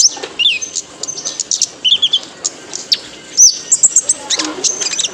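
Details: High-pitched song of a male kolibri ninja (purple-throated sunbird) meant for training cage birds: thin chirps, short falling whistles and a sharp trill, irregularly spaced, with background hiss.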